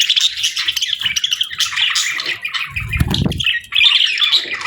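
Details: Budgerigars produce a steady stream of scratchy chirps and warbles, briefly interrupted by a low rumbling knock before the chatter resumes.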